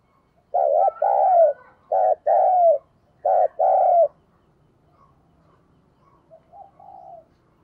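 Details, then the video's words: Lure spotted dove cooing to provoke wild doves: three soft paired coos, each a brief note followed by a drawn-out, gently downslurred one, then near silence with a faint, quieter coo near the end. "Tiếng Chim Cu Mồi Thúc Gù gáy gọi dùng tập mồi kích bổi"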